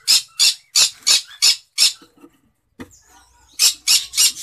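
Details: Cinnamon green-cheeked conure in a breeding cage, checked by its keeper indoors: loud harsh squawks in a rapid series of about three per second, a brief quiet gap, then another burst of the same grating calls.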